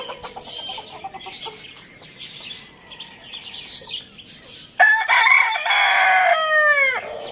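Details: Rooster crowing in the morning: after chattering of small birds, a loud harmonic crow starts near five seconds, held and stepped, then falling away at the end.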